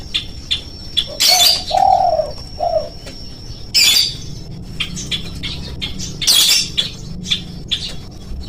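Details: Lure sound for spotted doves, meant to make them call quickly. A soft low coo phrase runs from about one to three seconds. It is broken by loud bursts like flapping wings, with small bird chirps around it.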